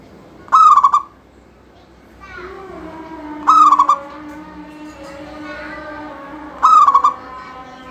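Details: Local zebra dove in full, lively song, said to prompt other doves to start singing; three short bursts of rapid, bubbling coos at a steady mid pitch, roughly every three seconds, over faint tonal background hum.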